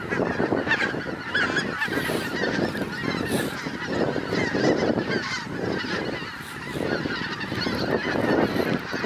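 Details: Hundreds of geese coming down onto a meadow; a sustained roar of overlapping honks and calls, rising and falling slightly in loudness, briefly easing around seven seconds before swelling again.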